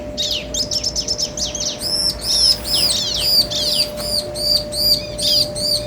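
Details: Male and female bar-winged prinias in an answering duet: a fast rattle of high chips gives way to loud, repeated looping whistled notes, roughly two or three per second, with a steady low hum.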